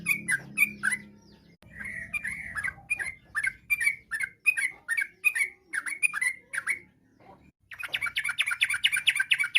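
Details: Yellow-vented bulbul in lively full song that sets other bulbuls answering, a varied type: rapid bubbly phrases of short, bouncing notes, repeated in bursts with brief pauses, and a faint low hum in places.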